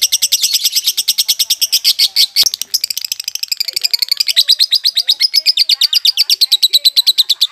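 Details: A still-untrained violet lovebird doing "konslet" chatter pours out a long, unbroken run of rapid, shrill, buzzy pulses, about three a second, with a brief click partway through.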